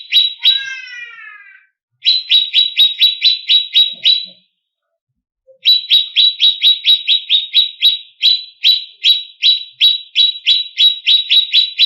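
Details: Greater green leafbird, a competition bird, in emotional varied song. A short descending slurred phrase is followed by two long bursts of rapid, loud, sharp chirps, about four per second, split by a brief silence.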